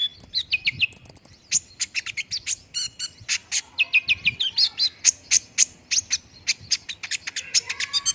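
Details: Olive-backed sunbird song intended to prompt fast singing: a long rapid sequence of high sharp chirps, thin very high whistles and repeated descending notes, quickening into dense bursts.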